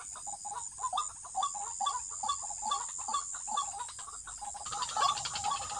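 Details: White-breasted waterhen calling during trapping: a rapid series of short, mid-pitched clucking notes repeated about twice a second, over a steady high insect hiss.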